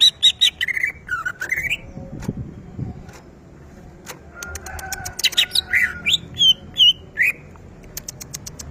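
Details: Greater green leafbird singing at home, a caged contest bird in full voice: chips and looping whistled phrases, then a soft lull, then rapid clicks and bright rising and falling whistled notes, partly squawky.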